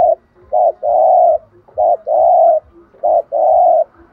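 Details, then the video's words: Spotted dove (chim cu gáy) giving the urging coo used to provoke other doves into calling: low, mellow hoots in a short-then-long pattern, repeated three times in about four seconds, clean and close. "tiếng chim cu gáy kích bổi/tiếng thúc gù bài bản giọng hay giúp bổi nhanh gáy"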